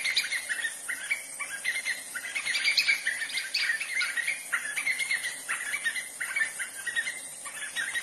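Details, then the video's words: White-fronted nunbirds (Monasa morphoeus) in Brazil give a dense, rollicking chorus of overlapping whistled notes with steady, chattering energy throughout, rising briefly louder in the middle. "Canto pássaro Chora-chuva-de-cara-branca (Monasa morphoeus)"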